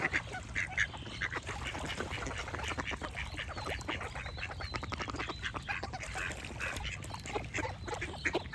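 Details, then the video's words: Many ducks quack at once in a dense, overlapping chorus of rapid, rasping calls, and faint high bird chirps run through a constant low rumble. "Duck Quack Sound Effect with Birds Chirping"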